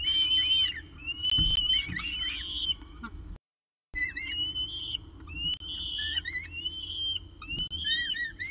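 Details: Peregrine falcon at a nest during the evening meal, Orange, 18 October 2018, 6:51 pm, nest camera: high, thin whistled calls sliding up and down, many quick overlapping notes, with a brief silent dropout midway.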